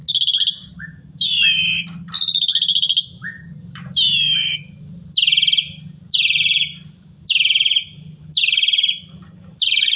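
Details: Asian pied starling (jalak suren) singing to provoke other starlings into song: harsh, buzzy bursts sliding downward, each about half a second long, repeated roughly once a second, over a steady low hum.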